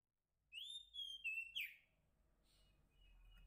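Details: Wild female Oriental magpie-robin calling to a male, used as lure and training material: a short run of clear whistled notes, a long rising whistle then level and falling ones, ending in a sharp note, over quiet background.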